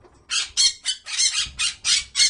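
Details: Parrot screeching a rapid series of about eight harsh, high, raspy squawks, each lasting a fraction of a second, almost back to back.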